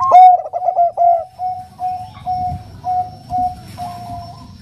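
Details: Soft-voiced Bangkok zebra dove, a female calling to a male in the nutut style: a bubbling opening coo, then a string of gentle, level coo notes repeated about once every second, fading slightly toward the end.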